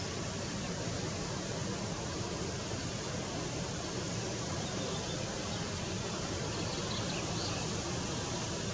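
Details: Steady, unbroken broadband hiss like rushing water or wind fills the whole recording, with no animal calls heard.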